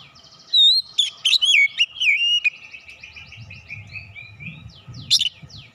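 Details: Oriental magpie-robin lure song, meant to fire up other birds into singing their full repertoire: loud, clear whistled notes sliding up and down, with buzzy trills between them, then a sharp high note near the end over a low background rumble.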